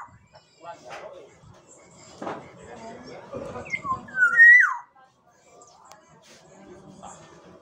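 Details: Sumbawa Black-naped oriole giving a rich fluty whistle, two or three slurred notes rising to a loud drooping final note, amid a man's speech and low room murmur before and after.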